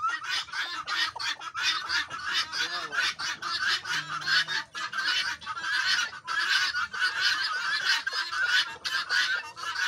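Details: Guineafowl flock on a farm keeps up a harsh, rasping chatter, many birds overlapping in a steady, grating din with no pauses.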